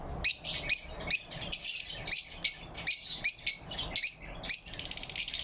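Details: Lovebirds chirping happily in morning light, 4 November 2023; sharp, high, squeaky chirps repeated roughly twice a second, uneven in rhythm, ending in a quick buzzy trill.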